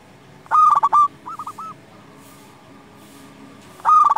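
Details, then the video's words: Zebra dove, local type, singing to raise other doves' urge to sing: loud quick stuttered coos ending in a held tone, a softer rolling phrase, a faint steady hum, then another loud phrase. "Perkutut lokal gacor SEKALI PUTAR suara ini 100% Bikin lawan gacor nyaut"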